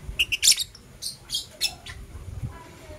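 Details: Blue opaline and parblue euwing opaline lovebirds in the morning, giving a string of quick, shrill chirps and short squeaky notes, loudest at the start, fading into softer calls with low background noise.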